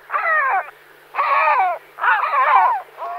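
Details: Great black-backed gull (Larus marinus) gives deep, hoarse, harmonic calls, each about half a second long with slightly falling tones, repeated roughly once a second.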